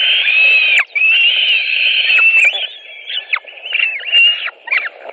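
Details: At a Latvian white-tailed eagle nest during an evening food delivery at 21:05 on 5 July 2018, drawn-out piercing whistles, then shorter broken squeals with quick drops in pitch.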